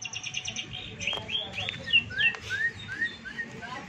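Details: Six-month-old long-tailed shrike, said to imitate chick sounds, a hen, a canary and a lovebird, giving a run of short rising, upslurred chirps and squeaks about three times a second over a low background hum, with a man's voice just before.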